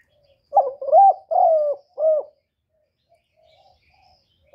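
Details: Spotted dove call: a short introductory note, then three mellow coos with the middle one drawn out, a pause, and another coo beginning at the end.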